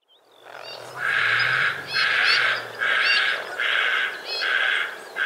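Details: White-faced heron in Australia, recorded 2 January 2019: a run of five harsh, rasping, broadband calls, each lasting under a second and repeated about once a second, with a quiet low hum underneath.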